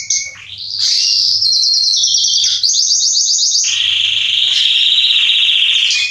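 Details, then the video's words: Singing male Salsa Belgian canary, recorded to warm up other canaries: a rising sweep leads into fast rolling trills about four per second, then a long buzzy sustained trill holding steady at high pitch. "Canário Belga Salsa macho cantando - Esquente seu canário belga em 30 minutos"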